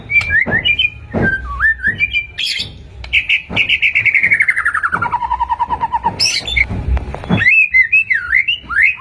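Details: White-rumped shama song played as a lure to provoke caged shamas into singing, rich varied whistles with a long descending trill-like slur in the middle, then quick twisting whistled notes.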